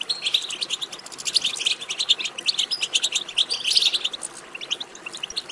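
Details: Twittering European goldfinch song played to stimulate singing: rapid, liquid, high chirps packed closely together, rising and falling in loudness in waves over several seconds.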